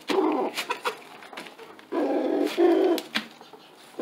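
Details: A rooster calling a hen to lay an egg on top of a tarp gives low, soft, throaty crooning calls in two drawn-out bursts, with faint clicks and taps between them.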